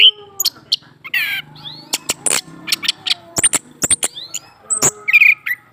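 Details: Caged male orange-headed thrush singing after a female is placed beneath his cage: a rapid, jumbled run of sharp chips, short high whistles and a harsh buzzy burst, broken by loud clicking knocks.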